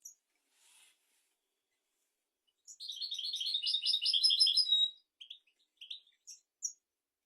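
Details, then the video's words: Goldfinch song meant for training young goldfinches and canaries, a quiet start, then a two-second burst of fast liquid twitters and buzzy trills, followed by scattered short chirps. "تغريد طائر الحسون ملكي 👑♥️ لتعليم طيور الحسون والكناري بدون أخطاء"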